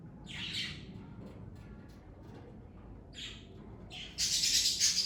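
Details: Pet parakeets from a family flock give short, bright chirps in two separate bursts, then a loud, harsh, continuous chatter of squawks that ends the recording.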